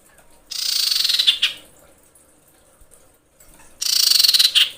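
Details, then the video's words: Female common iora, in breeding condition, calls for a male with two rapid buzzy trills of about a second each. They are separated by roughly two and a half seconds of near silence. "KICAU CIPOW BETINA BIRAHI MEMANGGIL JANTAN"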